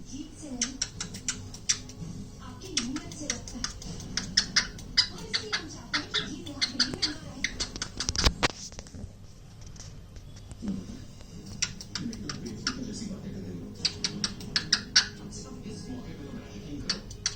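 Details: A cockatiel (Nymphicus hollandicus) makes quick, smacking mimicked kiss sounds between bursts of chattery, speech-like mimicry, including saying "gimme kiss".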